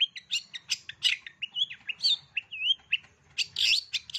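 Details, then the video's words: Complete set of mimicked phrases from a long-tailed shrike for young birds: bright chirps mixed with smooth wavering whistles and loud buzzy bursts, delivered in an irregular, lively sequence over a faint low rumble. "Cendet isian lengkap, COCOK untuk CENDET MUDA belajar BUNYI"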